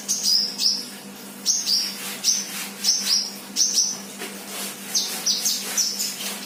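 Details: A 'bahan' sunbird singing 'gacor' repeats short, very high, downslurred whistles about twice a second. Short pauses break the series, and a faint constant low hum runs underneath.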